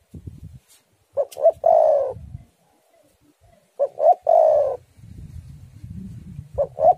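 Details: Spotted dove song played to lure other doves and prompt them to sing: low cooing phrases of two short notes then a long rolling coo, repeated twice with a pause, faint low rumbling noise between phrases.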